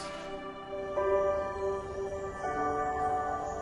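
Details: Soft, sustained musical tones with chime-like harmonics shift in pitch at about one and two and a half seconds, with no animal sound present.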